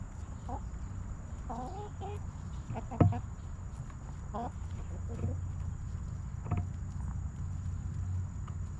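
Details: Backyard chickens in their coop, hens clucking softly: scattered short harmonic clucks spaced a second or two apart, with a sharp knock near the middle over a low steady hum.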